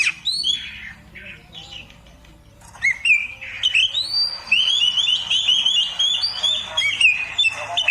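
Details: Oriental magpie-robin singing a varied, high whistled song of sweeping and rising notes, sparse at first and then a dense continuous run of trills, with low background noise.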